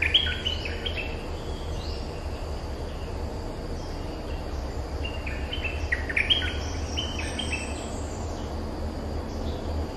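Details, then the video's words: Streak-eared bulbul as territory holder responding to lure calls: a quick cluster of bright chattering notes at the start, then a longer, busier run of jumpy whistled notes later, with insect-like buzz and a low hum behind. "เสียงต่อนกดอกแตงEp.229 จ้าวถิ่นเถียงทุกคำ!! suara pikat merbah lekir gacor"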